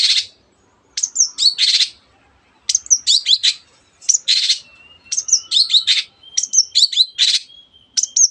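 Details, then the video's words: Long-tailed shrike singing energetically to spur other birds to sing: bursts of high, scratchy, varied notes mixed with short rising whistles, in phrases separated by brief pauses, with a thin steady tone in the background. "cendet gacor teot teot"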